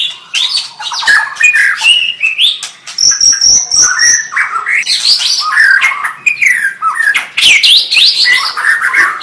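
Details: Song of a white-rumped shama with quick whistled phrases, a sustained high thin trill near the middle, and sharp clicking bursts, flowing continuously in varied, rapidly changing notes.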